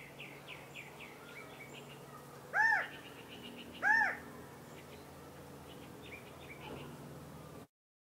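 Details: California quail mating call: two loud arched, slurred notes about a second and a half apart, with a chorus of small, high chirping birds and steady background noise behind.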